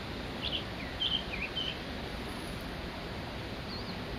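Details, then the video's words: Song of a male Blue-and-white flycatcher on Mount Migita, fainter here: a few short looping whistles in the first two seconds, then quiet with only a brief high note near the end, against a noisy outdoor background. "オオルリ ワンマンショー in 右田ケ岳"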